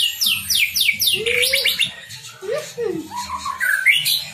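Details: Captive-bred white-rumped shama from a breeder in Tambakromo, Pati, Central Java, in full fill-in song: a run of high, steeply falling sweeps repeated rapidly, then lower slurred whistles and rising notes, with a low background hum.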